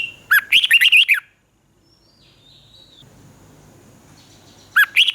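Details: Thai caged Red-whiskered bulbul giving southern master-pattern style song, used to excite and train birds: a rollicking phrase of rapid whistled notes, a pause with a faint distant whistle, then the phrase starts again.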